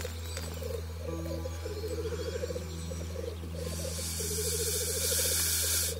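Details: Black grouse at their lek, where males court and fight in spring before mating: a continuous bubbling, cooing roll of rapid pulsed notes from several birds, with harsh hissing sneezes, a low steady hum underneath.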